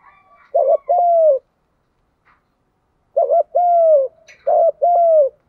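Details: Spotted dove cooing, 'Đồng' style, recorded to encourage young wild-caught birds to coo: three low phrases, each a quick double note sliding into a drawn-out falling coo, one brief higher sharp sound near the end.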